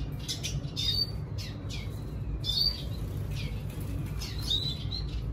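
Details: A red siskin sings to lure a female, in quick bursts of high, buzzy twitters and thin squeaky whistles, pausing briefly between phrases, over a steady low rumble.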